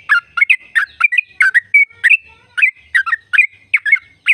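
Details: Rich, rapid chatter from a yellow-vented bulbul, used to coax caged birds into song: tumbling bubbly notes and short whistled slurs in an uneven, continuous stream.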